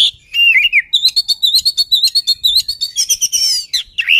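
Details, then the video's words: Oriental magpie-robin, song used to goad a rival: a few rich, sliding whistles lead into a fast, rattling trill of rapid high notes, ending with loud downslurred whistles. "KACER BIKIN MUSUH BAGONG"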